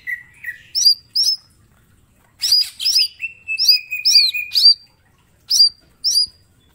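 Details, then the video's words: Mini green leafbird singing constantly with sharp shot-like notes as master song: high hooked whistles in pairs, a sustained level rattling trill in the middle, then more paired whistles. "Cucak ijo mini gacor full tembakan bongkar materi"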